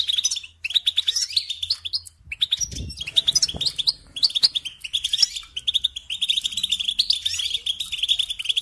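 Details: European goldfinch singing a fast, continuous twittering song of high, liquid chirps and short trills, with a brief low thump near the three-second mark.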